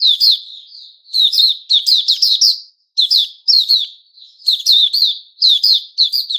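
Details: Puteh Raja, a white-rumped shama, giving its "buka" opening song on 29 August 2021; clusters of sharp, ringing, high notes delivered in rapid bursts separated by short gaps, no other sounds.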